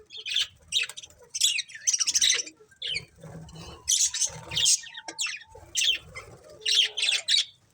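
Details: Budgies chirp in scattered bursts of sharp, scratchy notes and squeaks, some phrases close together, others spaced about a second apart, with faint background rustle.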